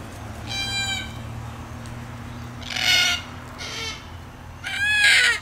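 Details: A Red-tailed black cockatoo (Calyptorhynchus banksii) gives four harsh, grating, rising calls about a second apart, over a steady low hum.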